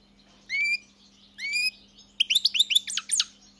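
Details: European goldfinch with two long rising whistles followed by a burst of rapid liquid twittering; a constant low hum runs beneath.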